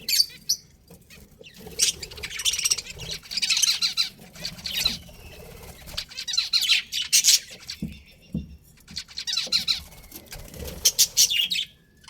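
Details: Chirping budgerigars: clusters of quick, raspy twitters and squeaky notes in several bursts, with quieter stretches and light rustling between.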